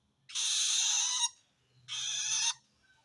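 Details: Long-tailed shrike calling to wild shrikes, a call said to signal it feels threatened by other shrikes; two harsh, raspy screeches, the first about a second long, the second shorter.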